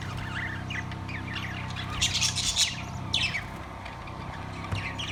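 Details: Caged budgerigars, Australian parrots, recorded September 3, 2023, giving scattered squawky chirps and short warbles, louder in bursts around the middle, over a steady low mechanical hum.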